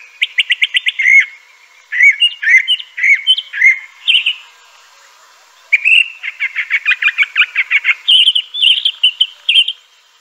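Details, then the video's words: Crissal thrasher (Toxostoma crissale) singing rapid buzzy trills, repeated doubled notes, and a long accelerating sequence of chips followed by higher warbled phrases, with one clear pause midway. "Crissal Thrasher bird song.(Toxostoma crissale)."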